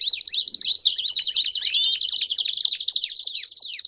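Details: Belgian canaries singing together: a busy, high, overlapping tangle of rapid trills and sweeping notes, with fast downward-slurred chirps repeated throughout.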